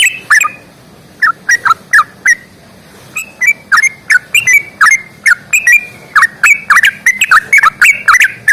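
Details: Yellow-vented bulbul in lively fighting-style song with long rapid runs. Short bubbly warbled phrases, each dropping and rising, come in bursts separated by brief pauses, with sharp clicking accents. Quiet background.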